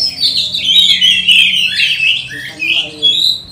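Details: Training lure song from an Oriental magpie-robin, meant to make other magpie-robins quickly aggressive; long high whistled phrases, then falling slurs and a short loud note at the end.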